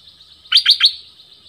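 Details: Orange-headed thrush singing, a song used to attract wild birds and train young ones: three quick bright whistled notes in a tight burst.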